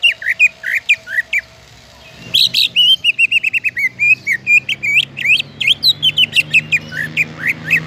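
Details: Greater green leafbird singing to prompt other leafbirds into song: fast, varied, high whistles and chirps in quick succession, with a short run of evenly repeated notes and a noisy burst near the start.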